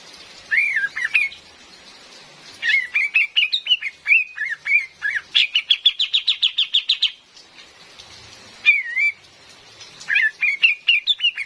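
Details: Female cream-vented bulbul lure call: lively runs of bubbling whistled notes, building into a fast regular string of about fifteen sharp chirps, then a pause and further rising-falling phrases, faint rain behind.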